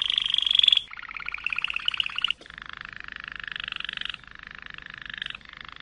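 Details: Malinois canary singing a series of rolling tours: a bright, high pulsed trill, then lower, steady bubbling rolls changing tone every second or two, with brief breaks between phrases.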